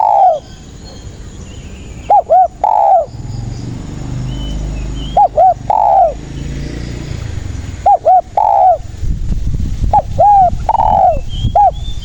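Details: Spotted dove song for luring doves into traps: a steady run of coo-coo-croo phrases, short paired notes and a longer falling note, with low engine-like rumble beneath.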